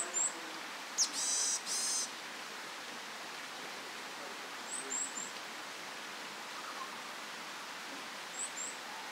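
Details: Varied tits: brief, very high thin notes, then a nasal, buzzy burst near two seconds, and later faint high notes over a steady hiss. A male's "tsutsupii" song calls a female, and she answers with "nii-nii" calls.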